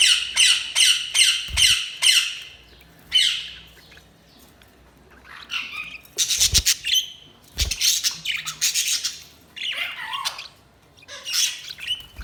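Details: Budgerigars chirping: rapid strings of high, harsh squawky chirps, a fast repeated series at the start, then scattered bursts of chatter with short pauses and a few soft knocks.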